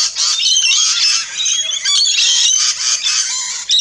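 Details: Rainbow lorikeets at a backyard feeding station in Australia, a dense chorus of harsh, screechy squawks and chattering chirps, high-pitched and almost continuous, with brief lulls.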